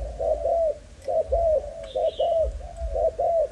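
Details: Cooing of a young Malaysian-type spotted dove, breed line 55: short clipped coos followed by longer down-curving notes, repeated rhythmically, with a brief faint chirp and low background rumble.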